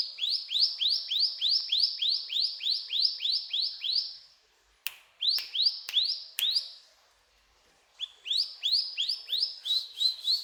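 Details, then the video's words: Mountain tailorbird in full cetrakan-style song: a steady series of sharp, rising whistled upslurs, about three per second, broken by a pause and a few snapping clicks, then resuming with slightly lower, quicker notes. "Burung Ciblek Gunung Gacor Cetrakan"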